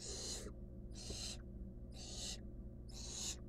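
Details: A barn owl chick, wild and filmed in its nest box as it eats a rodent, hisses four times in a breathy, scratchy rhythm roughly once a second over constant low hum.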